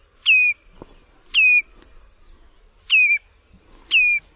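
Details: Migratory wader Tringa totanus, the common redshank, giving four ringing downslurred whistles, each a fraction of a second, roughly once a second, against near silence with a few faint taps.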